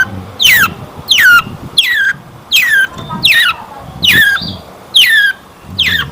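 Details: Long-tailed shrike song played as a lure to set caged birds singing: loud harsh squawking notes sweeping steeply downward, repeated about every three-quarters of a second in a steady series, with faint low background rumble.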